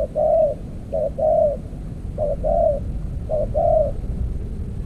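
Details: Decoy-trapping session with an earthen trap cage: a spotted dove gives three deep two-part coos, a short clipped note followed by a longer mellow one, spaced about a second apart.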